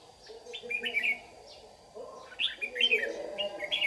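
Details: Lure red-whiskered bulbul of the white-cheeked type dueling at dawn while trapping wild birds, Đồng Nai, Vietnam, 26 June 2019: quick chirpy warbling phrases, several in a row, over low background chatter.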